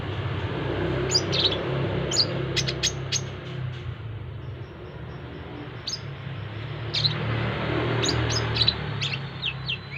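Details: Korlap, the brown-throated sunbird, exposed to a crowded roadside with people passing to accustom it to bustle; clusters of sharp, very high, clipped chips in short runs, separated by pauses, over constant low traffic hum.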